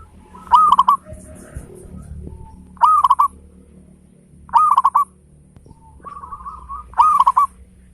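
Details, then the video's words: Loud local zebra dove singing persistently, meant to coax other birds into song: four strong phrases of fast, bubbling coos with crisp knock-like beats, about every two seconds, with a softer cooing phrase between and faint background hum. "Perkutut lokal gacor suara besar ketukan indah cocok buat pancingan perangsang bunyi"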